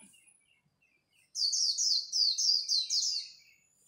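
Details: Competing white-eye at dawn delivers a líu phrase: about six rapid, high, downslurred chirps strung together in under two seconds after a quiet start.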